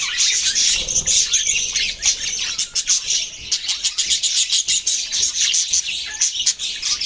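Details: Budgerigars chattering together: dense, continuous high warbling and chirping, with quick clicks and short tweets overlapping throughout and no clear pauses.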